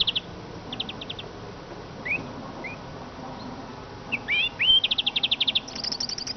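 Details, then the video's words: Eurasian siskin: scattered short high pulse bursts and two soft rising whistles, then a cluster of upslurred calls and a fast buzzy trill near the end. "iskete kusu sesi"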